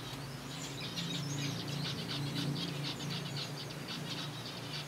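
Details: Zebra finches in a kept colony eating softfood, producing a busy stream of quick, sharp high chirps, several birds overlapping, with a constant low-pitched hum underneath.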